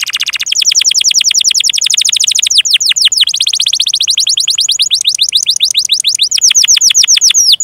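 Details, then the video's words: Canary in long, continuous 'gacor' song used as a master recording for training young canaries: rapid, dense trills of steep downward-sweeping high notes, repeated many times a second, shifting tempo and pitch in long unbroken phrases, with no other sounds. "Kenari GACOR PANJANG INI Cocok untuk Masteran KENARI PAUD dan Kenari Macet BUNYI"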